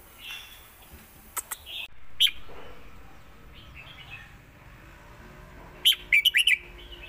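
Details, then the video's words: Caged red-whiskered bulbul in Thailand, a southern-style bird compared in the Lak Wai and Mae Bot song styles. It gives one quick burst of bright, warbled notes near the end, after scattered short chirps, over a soft hiss. "ที่เด็ดทั้งคู่"ลากหวายVSแม่บท(Bulbul bird Thailand)"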